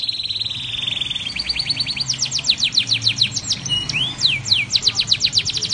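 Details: Canary song with blackthroat-style roll variations, used to tutor other canaries and white-rumped shamas: opens with a rapid buzzy trill, then quick repeated downward-sweeping notes, a brief rising slur and more fast sweeping series.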